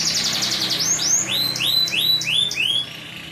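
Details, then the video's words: Canary, a caged bird, singing continuously: a rapid trill of high notes followed by a run of rising, arched whistled notes repeated about three times a second, with a low hum behind. "Burung kenari ngacor"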